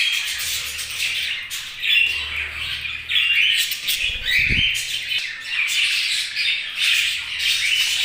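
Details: Several budgies chirp together in busy, overlapping chatter, raspy squawks mixed with quick bright whistles, with one brief low thump midway.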